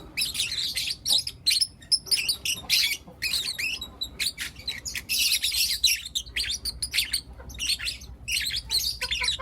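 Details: Morning chatter of four young lutino lovebirds, with overlapping shrill chirps and raspy squeaks pouring out in long, dense bursts, broken by brief quiet gaps.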